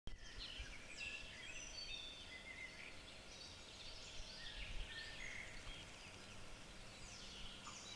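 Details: Mallard ducklings with their mother on the River Werse, Münster, Germany, in April 2014 give a steady stream of thin, high peeps and short sliding chirps, many overlapping, over a low rumble of wind and water.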